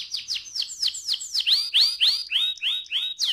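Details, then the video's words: Canary in ngerol rolling song, meant to stimulate other canaries into singing: a steady series of bright descending whistled notes, about three or four per second, growing louder and lower toward the end. "KENARI NGEROL AMPUH BUAT PANCINGAN KENARI"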